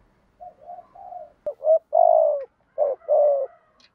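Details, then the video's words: Spotted doves, male and female, cooing to stimulate singing in trained birds: soft low opening notes, then louder hooted coos with one long steady note and a final paired phrase, in a quiet setting. "cu cườm gù thúc"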